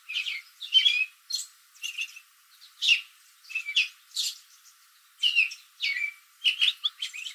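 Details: American robin perched in a backyard tree in late afternoon, calling to other robins nearby; a steady series of short chirpy, slightly squeaky notes in clusters, with answering robins audible.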